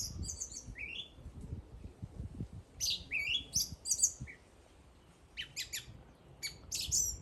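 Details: Bird singing in a series of high, quick chirps and short sweeping whistles in bursts, some notes dropping in pitch, with pauses between phrases and a low rumbling background.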